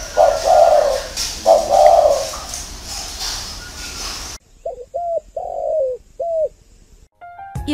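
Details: Spotted dove giving low, hollow coos, two soft blurred phrases first, then a clearer sequence of short coos with a longer drawn-out coo in the middle, against a quiet background with a brief click at the end.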